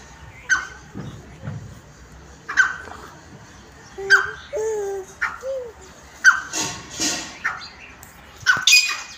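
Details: Grey francolin (Ortygornis pondicerianus) bred at home gives sharp, loud, high calls about every two seconds, with softer lower squawks and faint background chatter between them.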